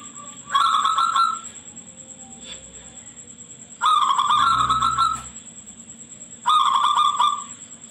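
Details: Shrill-voiced local zebra dove, a training singer played to get other doves singing. Three loud, rapid, ringing coo phrases, each under a second, come every few seconds. A faint low rumble and a steady high whine run underneath.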